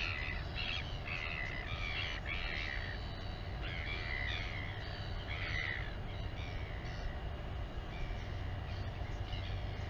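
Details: Nest camera at Taiaroa Head, near Dunedin, New Zealand: a royal albatross mother feeds her chick while a run of short nasal, rising-and-falling calls clusters in the first six seconds, then fades, over heavy wind noise.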